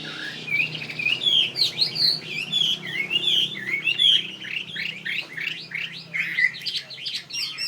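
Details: Chinese hwamei, a fighting bird of northwest Vietnamese origin, sings a fast, varied run of loud clear whistles and slurred rising and falling phrases, with twittering notes packed closely and no pauses.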